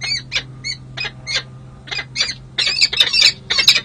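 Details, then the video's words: Pair-bonding Peregrine falcons on a San Jose city hall ledge after the breeding season, July 2024: spaced harsh chipping notes that become louder and denser, overlapping calls from both birds near the end. "Hartley & Monty Enjoy Long & Well-Deserved Bonding Time"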